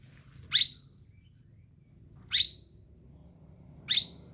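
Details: Oriental magpie-robin in the morning giving three sharp, high, downward-sweeping chirps, spaced roughly every one and a half to two seconds, over quiet background.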